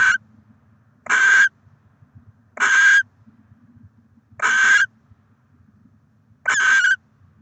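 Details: Barn owl of a nesting pair with six eggs in Oceanside, California, 23 December 2023, gives harsh, hissing screeches of about half a second, repeated every one and a half to two seconds, over a faint low hum.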